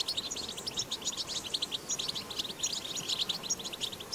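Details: Wild European goldfinch recorded in the wild, singing a 'batbata' style song: a dense, continuous run of rapid high twittering chirps and tinkling notes, with faint background noise.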